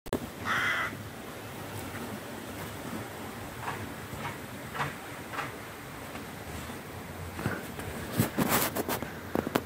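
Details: A crow, one of adults teaching young to fly and circling overhead, gives one harsh, hoarse caw near the start, then a few faint calls against steady outdoor background noise; rustling bursts come near the end.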